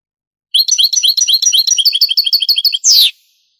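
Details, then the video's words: European goldfinch, Granada song style, on a Spanish cassette from the 1980s–90s: a twittering phrase becomes a quick run of identical high chirps and finishes with a harsh, falling buzzy note. "CANTO DEL JILGUERO"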